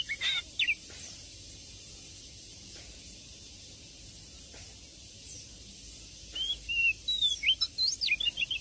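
Oriental Magpie-Robin song: a brief burst of high, sweeping whistles, a long hissy lull, then a fast run of sharp, rattling chattering notes.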